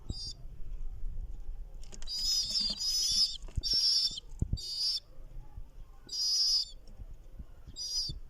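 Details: Young pigeon chicks calling in loud, high, squeaky, wavering bursts, some half a second long, repeated in clusters across eight seconds, with faint rustling and handling thumps underneath.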